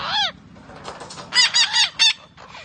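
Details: Green parrot giving one loud squawk that drops in pitch, followed by a cluster of three or four short, harsh, ringing squawks.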